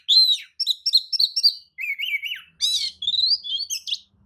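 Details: Lure song of a tail-spreading Oriental magpie-robin (kacer), used to agitate rival birds into replying: rapid, varied, high whistled and chattering phrases in quick bursts, some lower slurred notes, then bright trills, with short pauses between.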